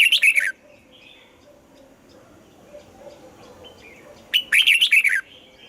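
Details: Red-whiskered bulbul singing in the morning, old wild-style double-note song. A short warbled phrase ends, and quiet chirping follows. About four seconds later comes a louder phrase of several quick whistled notes, bouncing up and down.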